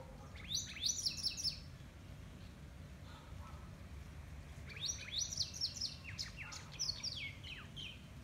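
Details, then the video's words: A wagtail at Taj Gateway, Chikmagalur, sings two bursts of quick, high, twittering chirps, each about a second or two long, over a steady low rumble of background noise. "Wagtail song"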